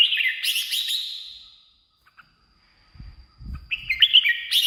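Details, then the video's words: Decoy or excitement playback of red-whiskered bulbul song. A fading whistled phrase gives way to quiet, then faint low thumps, then renewed chirping whistles. "เสียงนกกรงหัวจุก สำหรับต่อ หรือ เปิดให้นกคึก เสียงเพราะๆ"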